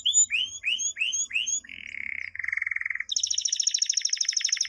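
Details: A canary sings a training song for young canaries: five quick rising whistles, then two steady buzzy trills, each a little lower, ending with a fast, very high rattling roll.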